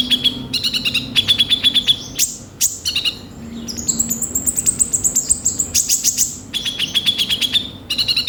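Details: Kolibri ninja sunbird belting out a coarse-filled song meant to provoke singing: alternating fast rattles and thin high sustained whistle-like runs, with short gaps between bursts.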